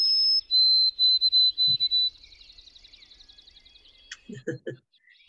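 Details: White-throated Sparrow, migrating through in a Waltham backyard, sings its clear whistle, likened to "oh sam peabody peabody peabody": a brief higher note, a long lower held note, then quick repeated notes; low thumps near the end.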